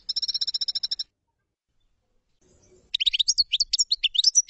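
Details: Common chaffinch song: a one-second run of evenly spaced high notes, a pause with a faint low murmur, then a quicker jumbled phrase of sharp high notes.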